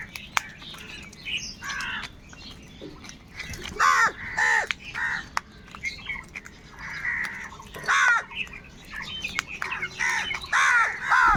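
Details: A huge flock of crows calling while fighting for food: repeated hoarse, rasping caws in irregular bursts, overlapping one another, over a constant background of more distant crow chatter.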